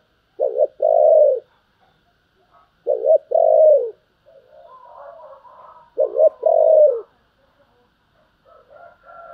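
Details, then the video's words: Spotted dove giving the calling and urging coo styles: three loud two-part phrases, a short coo and then a longer falling coo, about every 2.7 seconds, with softer lower coos in between. "tiếng cu gáy Thúc và gáy gọi"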